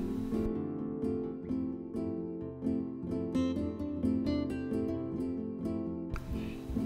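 Strummed and plucked acoustic guitar plays a steady tune, and no animal sound is heard.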